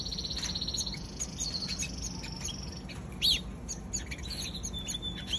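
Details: Young canary giving soft scattered chirps and brief trills over a faint hiss, with one louder sharp note around the middle and a thin whistle near the close.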